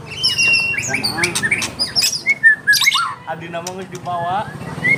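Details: White-rumped shama singing: a rich, varied medley of clear whistles, rising and falling slurs, sharp chips and rapid trills packed into a continuous, energetic phrase.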